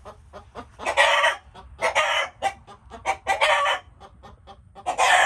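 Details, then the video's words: Chickens giving rough, broad screeching squawks in a few loud bursts, with quieter quick clucks and ticking notes filling the gaps. "Chickens making noises"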